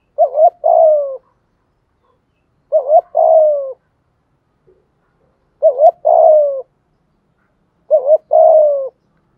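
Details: Spotted dove 'thúc gù' urging coo used to excite wild doves into cooing back: four low, hollow phrases, each a quick wavering double note then a drawn-out falling coo, repeated every two to three seconds in quiet surroundings.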